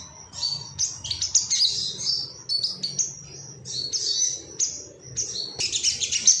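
Ruby-cheeked sunbird song: rapid, high, thin twittering and sharp chips in bursts, continuous and busy, with no other clear sounds.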